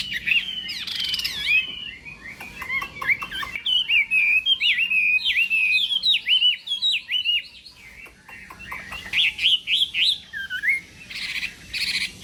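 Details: Chinese hwamei in a singing contest, morning voice training: long varied song of looping whistles and fast chattering phrases, a clear falling whistle near ten seconds, then broad noisy bursts at the close.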